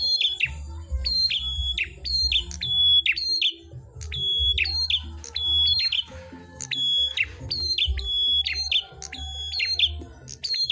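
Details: Red-headed prinia, also called grey prinia, singing energetically while competing with another bird: loud, sharp metallic notes repeated in quick bursts, each a bright rising chirp, with a low steady hum underneath.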